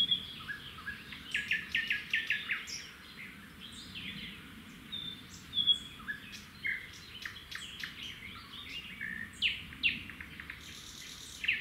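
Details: During feeding at a roadside red-backed shrike nest, with the male bringing a grasshopper for the female to give the chicks, dense bursts of short, scratchy chirps repeat throughout over a quiet background.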